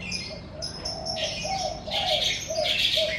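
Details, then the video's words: Birds singing in the morning outside a house, a busy overlapping chatter of bright chirps and trills, with mellow low coo-like phrases repeating beneath and a quiet hum in the background. "Suara Kicau Burung"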